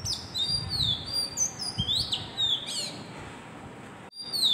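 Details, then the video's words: Oriental magpie-robin, known locally as dowel bird, singing clear whistled notes high in pitch, some sliding down and others rising, with a few buzzy bursts, over low background rumble; a brief drop to near silence near the end. "Call Of Dowel Bird"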